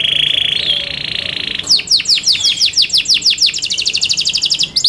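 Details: Yorkshire canary kept in captivity, song for singing competition: a steady high buzzing tone gives way to a series of rapid descending whistled notes, then a fast high trill at the end.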